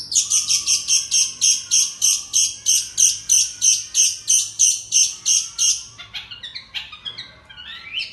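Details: Long-tailed shrike imitating a cricket: high, buzzy pulses repeated about three times a second for six seconds, followed by a few scattered sharp chirps and rising notes.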